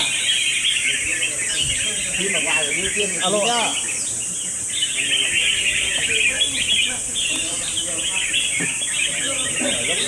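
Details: Several red-whiskered bulbuls compete in round two of a singing battle, pouring out dense, high chirping and warbled whistles almost without pause, while people talk in the background.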